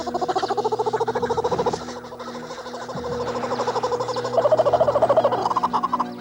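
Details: Australian kookaburra family cackles in a rollicking chorus of fast, repeated hooting notes swelling and falling in waves, while mounting a united attack on a black kite; faint steady hum underneath.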